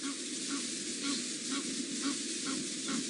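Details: Egyptian geese give faint, hoarse honking notes about twice a second behind a steady hiss of wind or engine noise, heard on an afternoon game drive in Djuma Game Reserve, Sabi Sand, South Africa, 5 October 2017.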